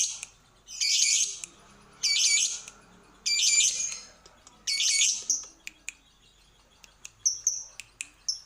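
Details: Lovebird on a lure recording for making birds sing: four raspy high squawks, each about half a second, spaced roughly a second apart, then a few thin sharp chips.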